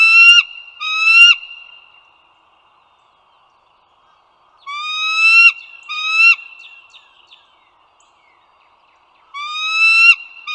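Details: Bald eagles at the Dulles Greenway in northern Virginia, recorded 16 April 2022 at 08:55. Clear, high, whistled notes with slight upward slurs come in paired bursts about every four to five seconds. A faint steady tone lingers between the bursts.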